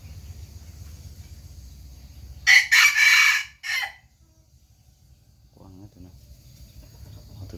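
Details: After a low background hum, a rooster lets out a loud, coarse crow of stuttered bursts ending in a short fading note. Faint voices follow.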